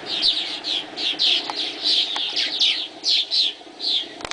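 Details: Dawn chatter of swallows: quick high twittering notes follow one another in a steady stream, roughly a dozen short bright bursts in close succession.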